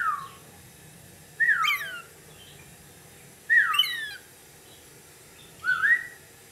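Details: Pet lorikeet giving three loud, harmonic squawking whistles, each a short sharp upsweep falling away, spaced about two seconds apart, with quiet hum between.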